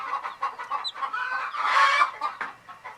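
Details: A group of sleeping baby chicks keep up a steady, rolling chorus of soft peeps that swells into a brighter burst of chirping near the end, with a single sharp tap.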